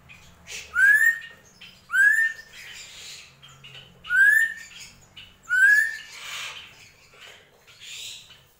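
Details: Drongo repeating a sharp rising whistle four times at uneven intervals, mixed with softer rasping, squawky notes in between.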